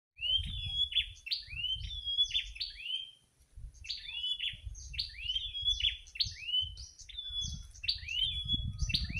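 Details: Wild prinia singing in the late afternoon in front of a house: quick series of bright, sweeping whistled notes, each rising or bending sharply, delivered in rapid bursts with a brief pause midway; low background rumble throughout.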